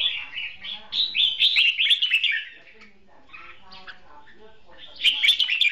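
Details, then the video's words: Red-whiskered bulbul used as a decoy bird in a trap duel, singing in a contest. It gives rapid, bright chattering warbles, a pause of soft scattered notes, then another burst of lively twittering at the end. "Bẫy đấu chào mào cực đẹp, hót cực hay"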